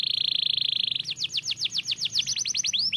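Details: Singing canary heard by other canaries: a second-long fast buzzy trill gives way to a series of slurred downward-sweeping notes, ending in overlapping quick chips and rising whistles.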